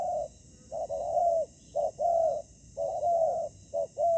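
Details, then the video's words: Decoy spotted dove on a ground trap answering a fighting wild dove. Soft hollow coos: brief notes followed by longer, slightly descending ones, in three phrases over four seconds. "Bẫy cu gáy mồi đất : Tuyển tập Mồi cùi bắp gặp Bổi trận của năm"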